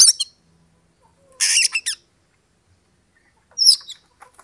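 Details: Oriental magpie-robin singing to rouse a rival's aggression for fighting: loud scratchy high-pitched bursts and a sharp chattering phrase after a brief pause, with quiet faint notes in between.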